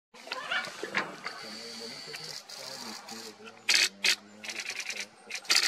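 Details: Macaws at the Buraco das Araras sinkhole in Mato Grosso do Sul, Brazil, give three loud, harsh, raspy squawks late in the recording, each under half a second, over steady human talking.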